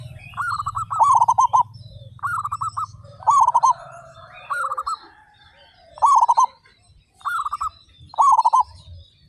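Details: Loud-voiced local zebra doves, a group of thirty-five in full song, deliver bursts of quick stuttering coos that roll downward, spaced one to two seconds apart. A low rumble fades early, and faint high twitters sound in the background.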